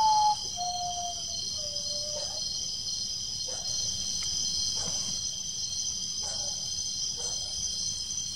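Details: Common potoo singing at Guaraú, Peruíbe, São Paulo, Brazil, on 20 September 2018, recorded with playback and lighting: a short series of clear, mournful whistles stepping downward, each lower than the last, then fainter notes, over a steady high insect drone.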